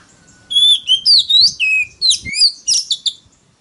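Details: Oriental magpie-robin delivering very loud competitive song used to lure rivals. A continuous string of pure whistled phrases slides steeply up and down, with some notes rich and ringing and others short and clipped, about three to four per second.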